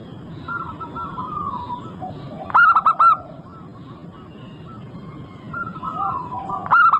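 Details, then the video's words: Local Indonesian zebra dove singing, played as a lure to prompt other zebra doves to sing: a quick burst of clipped notes midway and another at the end, with soft cooing and a low background hum between. "Pancingan super ampuh untuk semua jenis burung perkutut."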